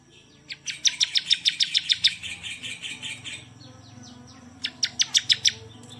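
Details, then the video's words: Bar-winged prinia, a champion singer, delivers a fast train of high, clipped chirps for nearly three seconds, pauses, then resumes with a short burst of similar notes. "KICAUAN BURUNG CIBLEK SANG JUARA"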